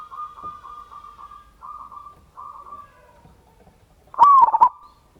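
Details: Local zebra dove with a big voice, its song used as a lure to prompt other doves to sing. A string of soft, evenly spaced cooing notes leads into one loud rolling, stuttering burst near the end.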